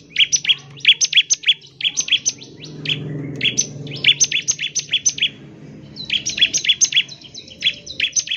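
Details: A bar-winged prinia pours out 'nembak ngebren' rapid song to stimulate other prinias: continuous strings of high metallic chips in quick groups, over a low background rumble.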